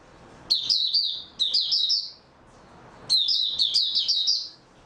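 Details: Caged white-eye, recorded 3 March 2022 after sleeping well, sings three rapid high-pitched warbling phrases. Each is a run of quick chirpy notes with short gaps between them, over a faint background hiss.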